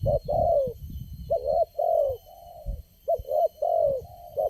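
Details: A wild spotted dove answers decoy birds at a trapping site as the lone responsive caller. It gives deep, mellow cooing phrases, each a quick introductory note then a sustained, slightly falling coo, with softer trailing coos between loud bursts.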